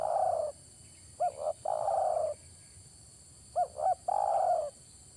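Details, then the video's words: Spotted dove giving its cooing phrase twice: a pair of quick clipped notes, then a drawn-out, slightly raspy coo, with a constant high-pitched hum in the background. "mikat burung tekukur"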